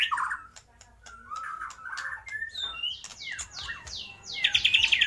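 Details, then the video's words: A white-rumped shama sings a varied, fast medley of whistles, downslurred notes and a rapid chattering trill, mimicking lovebird, kapas tembak and pijantung gunung calls. "MURAI BATU GACOR || TEMBAKAN Love bird,kapas tembak dan pijantung gunung"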